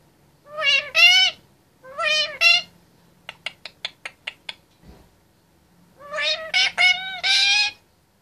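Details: Male Indian ringneck parakeet, aged 25 months, chatters in his cage: two pairs of harmonic speech-like phrases, then a run of about seven rapid dry clicks, then a longer cluster of tonal syllables.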